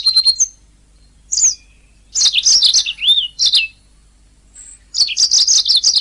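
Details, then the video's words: Canary song from a master recording for training songbirds, short bright phrases with pauses between: a whistled note, twittering warbles, a looping slurred whistle, then a rapid high trill. "SUARA MASTERAN - Ocehan Burung Kenari"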